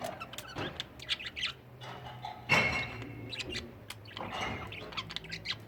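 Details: Pet budgerigars at home with their family: steady soft chirping and twittering throughout, with a brief harsher squawk-like burst midway and a faint background hum.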